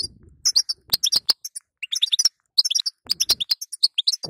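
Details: Calls of a female European goldfinch meant to rouse a weak male: clusters of sharp, high tweets and bright twittering notes in rapid runs, separated by brief gaps, with faint low thumps at the start.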